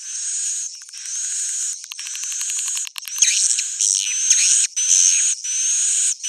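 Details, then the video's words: Old-style swiftlet sound: a continuous high twittering hum, then rapid clicking bursts, followed by sweeping chirps and whistled rising notes in separate bursts. "swallow's original sound"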